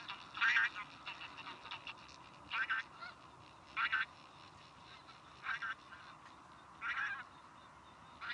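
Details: Tundra bean goose calling: short nasal honking bursts spaced about one to two seconds apart, some doubled, over a quiet background.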